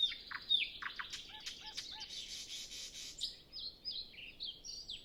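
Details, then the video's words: Well-known nightingale in song before sunrise on a calm, windless morning; sharp whistled slurs and clicks, a series of soft low rounded notes, then a fast high buzzy trill and scattered high chirps. "Nightingale Sound Library"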